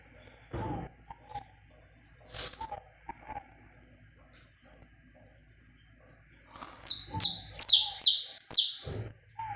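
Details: Live, uncut saffron finch song used for warming up a bird: scattered soft chirps at first, then a rapid burst of about six piercing, downward-sweeping notes near the end.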